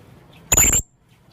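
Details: Young blue-crowned hanging parrot calling, used as a lure sound: one sharp, shrill, very high squeak lasting about a third of a second, then quiet.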